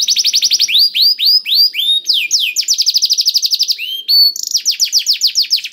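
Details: Singing canary used to prompt reluctant canaries to sing, delivering fast repeated upward-curving whistles, rapid buzzing trills and sudden pitch shifts between phrases, roughly four notes per second.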